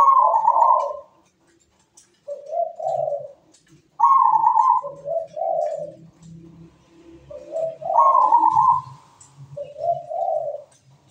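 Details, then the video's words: Zebra dove (perkutut) singing steadily, meant as a lure to set other doves singing: three repeated cooing phrases, each a loud level coo followed by lower rolling notes, about every four seconds, in a quiet indoor setting. "MEWAH PERKUTUT GACOR SUARA MERDU"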